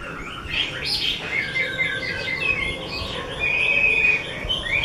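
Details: Chinese hwamei, a fine bird of a skilled keeper, singing varied whistled and buzzy phrases, including a long steady whistle near the end, against a hissy background.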